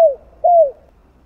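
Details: Spotted dove cooing in the 'giọng đồng' style, used to rouse other doves. Only two mellow, falling coo notes are heard, the second longer and sliding gently downward.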